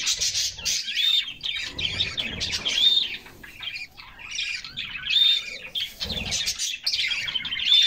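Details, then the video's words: Bathing canaries in summer give repeated bursts of high chirping, each holding a short whistled note, roughly every two seconds, over intermittent splashing of water. "Summer Serenade: Canaries Singing and Splashing in a Refreshing Bath"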